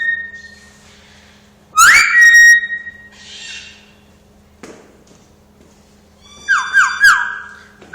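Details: Talking parrot whistling: a rising swoop into a steady held tone, then later a run of three quick rising notes ending in another held tone, with breathy noise between phrases and a constant low hum.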